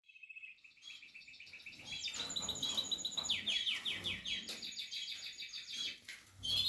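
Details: Portuguese harlequin canary during nest building, singing a varied song of rapid trills, repeated descending sweeps and sustained high whistled notes, with soft background noise.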